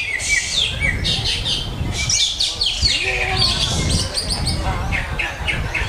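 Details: Greater green leafbird pouring out dense, high chirping and twittering phrases with rapid slurred notes, over steady low rumbling noise.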